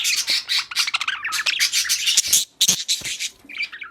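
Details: Budgerigars during mating and breeding give dense, rapid, high squeaky chatter, with harsh overlapping chirps packed closely together, one short pause midway, then quieter chirps at the end.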